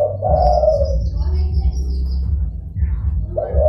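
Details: Zebra dove calling, a recording used as a lure for wild doves: a burst of rough, rolling cooing notes opens and closes the stretch over a steady low hum, with a faint high whistle above.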